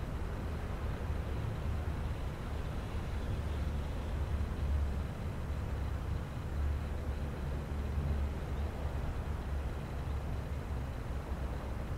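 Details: Steady low traffic rumble with passing vehicle noise throughout, and no animal calls.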